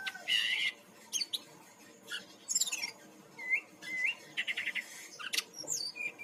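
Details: Brown-chested jungle flycatcher from Bali, a lure to trigger singing in other birds: loud buzzy bursts, quick high chirps and several short upslurred whistles, repeated in a varied, energetic stream.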